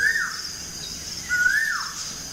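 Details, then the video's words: Morning bird chirping in a village setting: two clear whistled notes, each holding level and then sliding quickly downward, about a second apart, over steady broadband background hiss. "Birds chirping sound in the morning"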